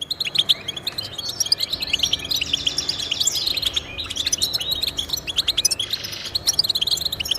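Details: European goldfinch song, played to encourage pet goldfinches to sing: a dense, continuous run of rapid, high, tinkling twitters and short chirps, with bright buzzy trills bursting in now and then, all steady and unbroken.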